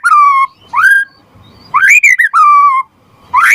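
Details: Rich whistles from a white-rumped shama, sung to trigger answering song in other shamas and as a tutor: long, pure, slightly falling whistles alternate with sharply rising notes and a quick triple flick.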